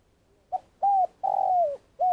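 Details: Decoy spotted dove used in Vietnam to call wild doves into traps: a quick soft note, a clear coo, a long croon sliding downward, and the start of a further coo.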